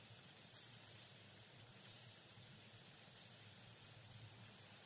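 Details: Hawfinch: a drawn, slightly longer high seep followed by four short, sharp ticks at uneven intervals, all very high and thin, with little background sound.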